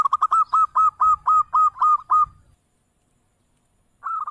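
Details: Zebra dove, a local bird used to lure responses, giving a fast rhythmic series of about ten short cooing notes, then a pause and a new phrase beginning.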